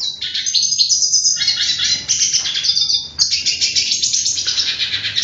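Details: Hooded siskin singing a fast, high, buzzy warble, dense chirps and trills running almost without a break, with one short gap midway.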